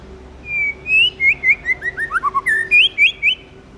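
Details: Tame white-rumped shama singing in its forest-voice style: a long level whistle, then a rapid run of short slurred notes stepping downward, and a final burst of bright rising whistles.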